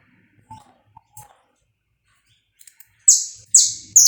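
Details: Saffron finch recorded live without cuts to warm up another bird: a few soft chirps and clicks, then three loud, high, descending notes in quick succession at the end.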